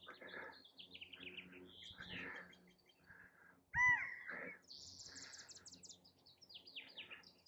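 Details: A male California quail calling for a mate gives one loud, clear, slightly nasal call near the middle, standing out over a busy background of chirping and twittering songbirds.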